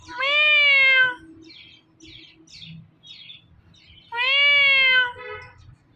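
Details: Pet Indian ringneck parakeet saying "Mitthu": two loud, drawn-out, nasal harmonic utterances about a second long each, separated by soft scratchy chatter, with a faint low hum.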